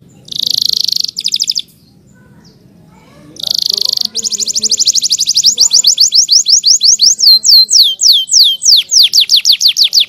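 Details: Canary singing loudly: dense high buzzy trills separated by a short pause, then a long series of rapid repeated notes that turn into clear descending whistled sweeps, about three per second, with faint background noise.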